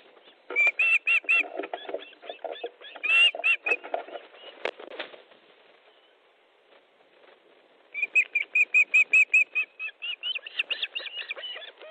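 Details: Osprey calling at its nest in Estonia during a fish delivery, 13 July 2014, 19:30: two bursts of rapid, piercing whistled cheeps separated by a quiet gap, with a brief flapping or rustling sound between them.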